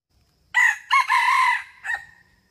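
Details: Male red junglefowl crowing in the 'rung ực' style, a recording used as a lure for trapping wild junglefowl: one short crow of four parts, a sharp opening note, a quick second burst, a longer held middle and a brief fading end, over a quiet background.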